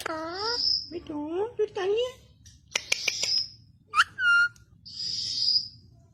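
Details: Alexandrine parakeet mimicking human speech: a few voice-like syllables with gliding tones, sharp clicks, then a bright whistled note and breathy hissing sounds.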